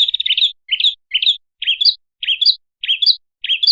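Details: Red-headed prinia lure call: a brief trill followed by a series of short, bright two-part chirps that climb in pitch, repeated roughly every half second with slightly uneven spacing.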